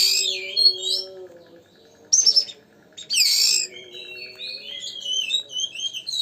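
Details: Oriental magpie-robin song played to provoke other magpie-robins: a rich warbled opening, a short sharp burst, a loud scratchy phrase, then a run of softer varied whistles over a low hum.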